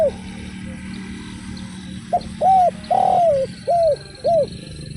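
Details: Hollow cooing from a prolific spotted dove, style without kuk and with one kuk: a clipped opening note, a drawn-out descending coo, then two rounded coos. A faint thin whistle runs high above, with low hum beneath.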